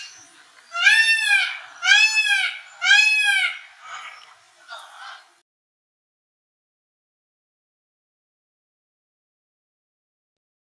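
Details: Black-chested jay in Colombia: three loud, harsh, ringing calls, each a rich harmonic arched note, spaced about one second apart, followed by two fainter calls, then silence.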